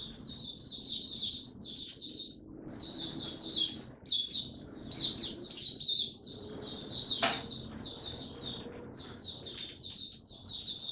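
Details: White-eye (Mata Puteh) kept by a Singapore bird hobbyist, recorded 31 July 2023 resuming its song; bursts of high, scratchy twittering about every second with short pauses, a sharp click midway, soft room hum beneath.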